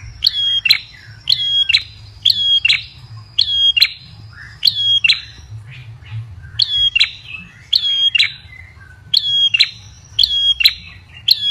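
Ashy tailorbird giving sharp, high, ringing notes in short bursts about once a second, over a faint low hum.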